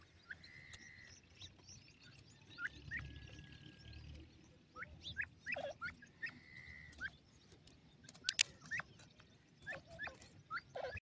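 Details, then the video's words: Grey francolin, locally called Sindhi teetar, calling: short level whistled notes and quick upslurred notes at a similar pitch, scattered irregularly among sharp clicks over a quiet, low rumbling background. "sindhi teetar dam awaz,indian partridge bird ki voice"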